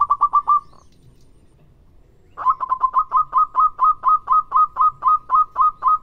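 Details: Lively local zebra dove used as a lure recording: a short run of quick cooing notes, a pause, then a long accelerating-then-steady series of rhythmic rolling coos, about four per second.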